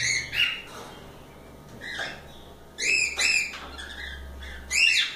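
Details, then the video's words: Free cockatiels playing give loud harmonic chirps in clusters with brief gaps and a low rumble in the background. "Calopsitas Live Canto dos pássaros"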